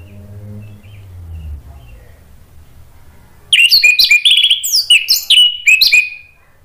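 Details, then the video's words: Orange-headed thrush song, a lure meant to stimulate a bird that has stopped singing. Low background hum for three seconds, then a lively three-second string of sharp, twisting whistles and chirps. "PANCINGAN ANIS MERAH NGEPLONG merangsang BUNYI jadi NYAUT GACOR NGEPLONG"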